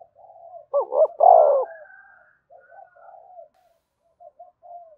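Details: Cooing spotted dove, meant to stir other doves into cooing: soft low coos lead into a loud, wavering, two-part throaty phrase, then quieter murmured cooing trails off in short pieces.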